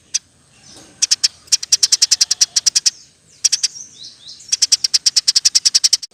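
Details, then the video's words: Eurasian tree sparrow delivering a dense 'roll tembak' roll, used as training material for songbirds; rapid strings of bright, high chirps with one brief break, faint down-slurred whistles in between. "Burung gereja gacor. Roll tembak pas untuk masteran"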